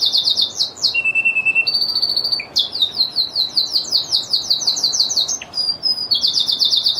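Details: Lizard canary song with buzzy trills of rapid repeated notes, a low steady whistle and a high flat tone, then more quick rolling phrases and a sharp click-like note.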